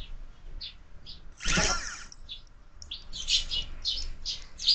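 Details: Sparrows chirp at a window-mounted feeder in the morning. Sparse short tweets are broken by a loud broadband thump or flutter, then a rapid run of overlapping chirps follows.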